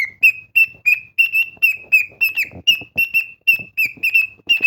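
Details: Pet cockatiel singing loudly and expressively: a fast run of short whistled notes, about three per second, each a bright chirp with a slight downward flick, some notes bending lower, with faint clicks between.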